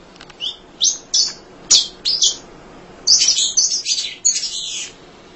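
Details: Munia chattering nonstop, its song used for tutoring other songbirds: scattered sharp high chirps, then a fast run of buzzy twittering notes after a short gap, ending in a few clipped chips.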